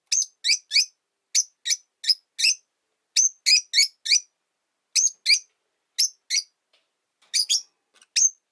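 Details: Three Rosy-faced lovebirds in one cage near a window: steady, fast chirping, around three sharp high notes a second, somewhat irregular, easing briefly before a final few calls.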